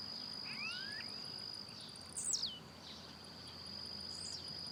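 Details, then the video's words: Blue-black grassquit in the wild, singing and hopping; a loud, quick, high downward-sweeping note in the middle, a fainter similar note near the end, and a steady high-pitched insect hum behind. "Tiziu Cantando Na Natureza"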